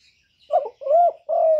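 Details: Spotted dove cooing: a short soft note, then two low, smooth, drawn-out hollow coos, the last held steady, in a quiet setting with no other sounds.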